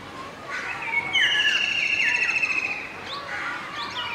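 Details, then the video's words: Indian golden oriole at Masab Tank, Hyderabad, filmed through a window: an adult male sings among a juvenile and two females, giving a loud, harmonically rich trill lasting nearly two seconds, flanked by softer slurred notes. "Golden orioles - Adult male with song"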